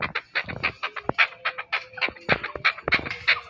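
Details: Chukar partridge (chakor) of Pakistan uttering uneven bursts of coarse, clucking notes, some paired, about one to two per second, with a thin background hum.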